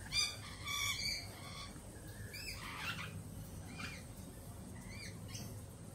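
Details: Nervous lorikeets after a recent Peregrine Falcon attack utter stacked, grating squawks in a rapid cluster at the start, followed by scattered rasping shrieks.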